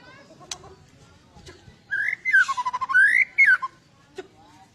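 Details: White-rumped shama in emotional, fighting mood, sung to provoke other birds: a loud phrase of swooping fluted whistles with pulsing buzzy notes, framed by isolated sharp clicks.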